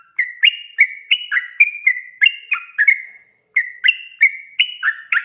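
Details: Sooty-headed bulbul singing a long rolling song used to coax other bulbuls to respond, clear fluty whistled notes alternating up and down in rapid succession, a brief gap midway, then more bright bubbling phrases.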